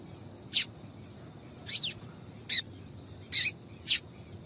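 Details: Female double-collared seedeater calling to stimulate a male: five distinct high, sharp chirps, one slightly drawn out with a falling sweep, spaced roughly half a second to a second apart.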